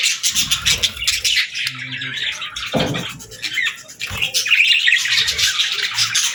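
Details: Morning chirping of parakeets: busy, layered high twitters and scratchy squawks, with a short lull and a sharp lower burst near the third second before the chatter swells again.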